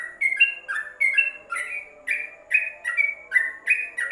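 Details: Yellow-vented bulbul, caged inside a covered cage, singing tutor song for training other birds: bubbly, liquid two-part notes stepping up and down, about one phrase every half second, over a steady low hum.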